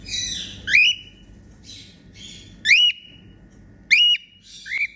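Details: Female cockatiel making happy sounds: rising whistled calls that bend up and level off, given about every one to two seconds, mixed with softer harsh chattering notes between them.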